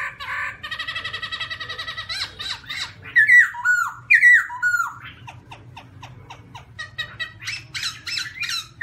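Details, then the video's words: Black-throated laughingthrush singing, recorded 2016: opens with a fast series of harsh, nasal chattering notes, then loud clear whistled notes that slur downward, followed by rapid dry clicking chatter over a steady low hum. "Garrulax chinensis - Birds singing voice well on the mountainrocky - Birdsong 2016"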